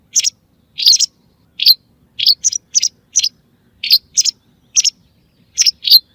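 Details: Used to lure white wagtails for hunting: about a dozen crisp, high chirps, single and doubled, come in an uneven run lasting six seconds. No other sounds are heard.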